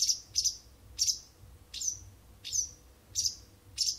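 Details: Wild bird courting an indoor cat's attention morning and evening for almost a month: high, piercing chirps, some in quick pairs, then spaced half a second apart, faint hum underneath.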